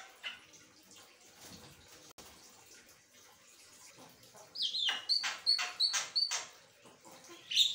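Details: After a quiet opening, an Asian pied starling bursts into a rapid series of clipped, metallic whistled notes, repeated fast and evenly, ending with a sharp squeak.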